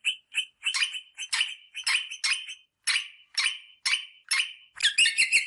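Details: Rosella parrot sounds used to stimulate mating: harsh, squawky chattering bursts repeated roughly twice a second, each broad and bright, with a louder, denser burst of chatter at the end.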